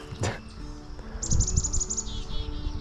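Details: In green spring woods, a chickadee gives an alarm call at an approaching photographer: a rapid string of about eight high, sharp notes, then a few lower, buzzier notes, over rustling and footsteps.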